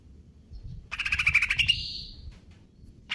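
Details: Greater green leafbird, KLO type in stable condition, konslet kejer nembak song: a fast buzzy pulsed trill that slides upward into a thin fading whistle, then a new burst starts.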